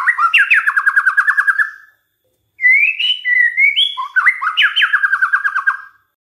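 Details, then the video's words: Lure song of a white-rumped shama, meant to make other shamas sing: two loud phrases, each opening with swooping whistles and ending in a rapid, evenly repeated string of notes that drop in pitch, with a short silence between. "DICOBA PANCINGAN MURAI INI, pasti murai tak tahan diam"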